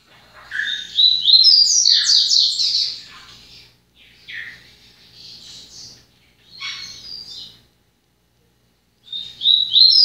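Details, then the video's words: A yellow-bellied seedeater (papa-capim) working its song into order: a long, loud, rapid warbled phrase of high chirps, then three shorter scratchy bursts, a pause, and the start of a new phrase. "Papa capim El TANK entrando em ordem"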